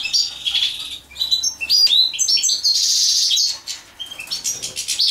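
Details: Mating European goldfinch delivering rapid, tinkling twitters and chirps, with bright whistled notes and a sustained buzzy trill in the middle before fading into scattered chips.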